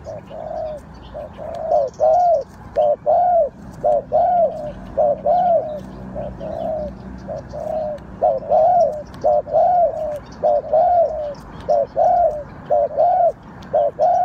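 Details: Decoy spotted dove used to lure wild doves into a trap, cooing steadily: hollow, mellow coo phrases repeated about once a second, mostly in pairs. Faint high chirps of other birds and a low hum sit in the background.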